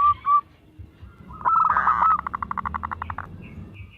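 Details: Local zebra dove kept to draw other doves into song: two short coos, then a rolling burst of quick pulses fading into softer repeated notes, with faint higher chirps near the end.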